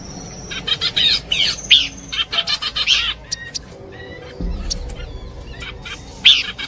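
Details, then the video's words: Combined Horsfield's babbler song meant for luring birds: dense clusters of sharp chirps and short whistled notes in irregular bursts, a brief pause, then scattered notes and a final loud chirp. "Nyanyian burung pelanduk semak kombinasi cocok buat pikat"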